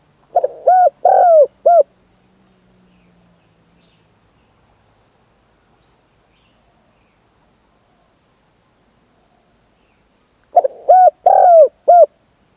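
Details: Caged spotted dove decoy being trained in Isan, Thailand, third session, singing the full middle-voice style: two bursts of soft cooing phrases, each of three or four throaty notes, separated by about eight seconds of quiet.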